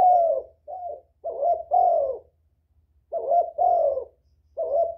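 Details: Lure coos of a spotted dove: low, rounded notes grouped in short phrases, a lengthened falling coo in each, with brief silent gaps between groups.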